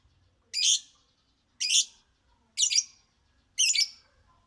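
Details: Four harsh, high-pitched chirps from a singing lovebird, evenly spaced about one second apart, each with a rough, slightly descending quality.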